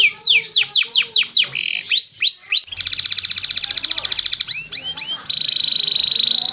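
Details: Canary song recorded as a clean master: looping whistled sweeps, a long rapid buzzy trill, then more sweeps and a high steady rolling phrase.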